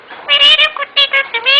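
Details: A talking parrot gives a quick string of about six short, harmonic, voice-like syllables in under two seconds, with people speaking Malayalam close by.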